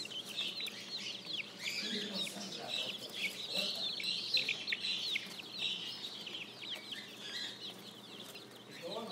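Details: Spring chicks calling: a dense run of sharp, high peeps, many birds chirping at once, a faint steady tone and soft low clucks beneath.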